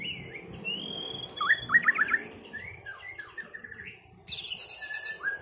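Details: Duelling white-rumped shamas after moulting, sung to restore form: a loud burst of rising whistled notes, then softer varied phrases and a final high, rapid, buzzy trill, all over faint background noise.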